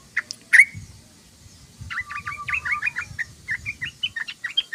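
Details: Sooty-headed bulbul singing its chattering ngoceh song: one loud sharp chirp, a short lull, then a long string of quick, twittering up-and-down notes that grows more spaced toward the end.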